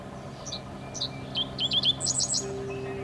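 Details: Dickcissel singing at the old US Steel plant site, Steelworker's Park, Chicago, on Lake Michigan: a few separate high chirped notes, then a quick run of sharp chips and a higher buzzy trill, with a low steady horn entering near the end over a background hum.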